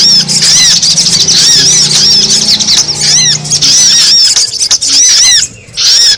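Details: Brown-throated sunbird lure call: clustered high arched chirps in long runs over a low hum, broken by a short quiet gap before a final burst.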